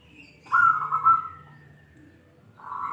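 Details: Zebra dove of local wild stock, praised for its crystal-clear voice, delivering a bright, rolling coo that fades over about a second, then starts again at the very end, with a soft low hum behind it.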